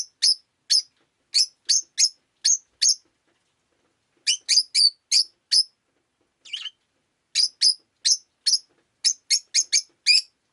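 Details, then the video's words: Rosy-faced lovebird chirping on a rainy day: groups of piercing, clipped high chirps separated by short gaps, with one softer scratchy note midway. "Lovebird Chirping Sounds"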